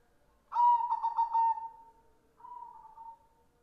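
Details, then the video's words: White red-eyed zebra dove singing: a loud stuttering coo of rapid pulsed notes that trails into a long steady falling tone, followed by a softer, shorter sustained coo. Quiet background. "Suara perkutut putih gacor / perkutut putih / suara perkutut / perkutut mata merah"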